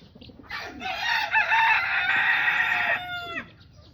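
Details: Rooster among hens under a tree at a family home, giving a single long strained crow that holds steady for about two and a half seconds before fading, over soft background noise.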